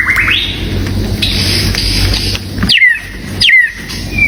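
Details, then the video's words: White-rumped shama singing, used as a decoy to draw in a mate: a rising whistled phrase, then sharp downslurred whistles and a long steady whistled tone over a constant low rumble and hiss. "เสียงนกบินหลาดง นกกางเขนป่า ใช้ต่อนกเรียกคู่เข้าเร็วมาก"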